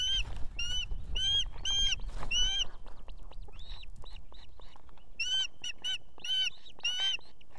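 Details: Female Osprey at a nest in Estonia with two chicks, calling the male to bring food in the evening; loud series of sharp, whistled, slightly upslurred notes, several per second in bursts, with low rumbling noise early on.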